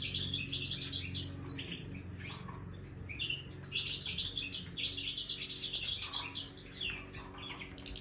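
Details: Energetic, jangling twitter song of a Major goldfinch in an aviary, notes tumbling rapidly with tinkling trills, accompanied by a faint low hum.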